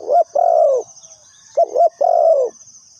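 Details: Lure spotted dove for trapping, cooing twice in quick succession. Each phrase opens with a brief doubled note and ends in a long, mellow, slightly falling coo. There is a faint, steady insect whine overhead.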